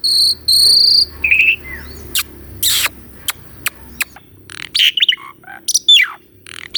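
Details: Varied song of an Asian pied starling, recorded live as a tutor recording for a caged bird that has stopped singing: two long pure whistles, a rising note, then sharp clicks, harsh broadband bursts and quick slurred whistles in rapid succession.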